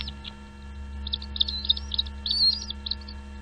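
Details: Nestling birds calling from their nest as parents bring food; high chirps and short squeaky notes cluster in the second half, over a steady low mechanical hum.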